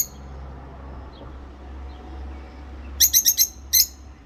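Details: Two rosy-faced lovebirds singing and chirping: after a murmuring, humming background, a quick burst of four shrill chirps followed by one more, all high and rasping.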